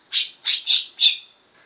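Greater green leafbird giving four harsh, scratchy high bursts in quick succession, mimicking a puff-throated bulbul's song; no other sounds.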